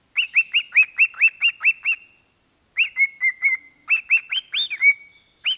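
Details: A pet parrot singing into a microphone gives a quick run of about eight bright, bouncing chirps in two seconds, pauses, then resumes with more varied, squeaky notes.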